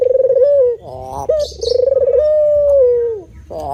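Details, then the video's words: Spotted dove calling in a repeated sequence: a short purring coo, a harsher wavering note, a clipped coo, then a long pulsed coo that flattens into a steady hum and falls away. "Bunyi Tekukur Jawa"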